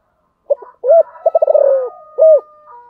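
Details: Spotted dove cooing: a brief soft note, a loud full coo, a fast stuttering run of about eight notes sliding downward, then another strong round coo. A faint steady tone runs beneath.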